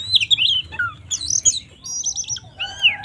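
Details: Oriental magpie-robin singing a fighting song to provoke other birds: sweet, wavering whistles, a falling slur, and a quick stuttered high trill, over faint low background hum.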